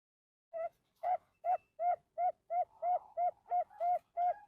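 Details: Male zebra dove (perkutut) of the Bangkok type, captive-bred on a farm in Bantul, singing a fast series of about a dozen short cooing notes, roughly three per second, each note mellow with a slightly rising-falling bend and faint overtones.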